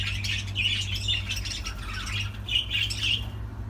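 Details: Budgerigar chatter heard indoors: bursts of squawky, scratchy warbling notes with brighter chirps, over a steady low hum.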